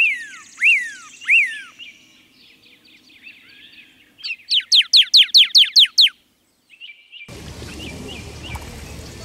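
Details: Cardinal song: two loud downslurred whistles, a soft jumble of notes, then a rapid series of about eight sharp upslurred chips, followed by a shift into noisy background.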